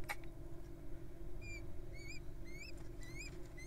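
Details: Feeding time for wild little owls: soft, thin upward-sweeping squeaks given about every half second after a single click, over steady low hum.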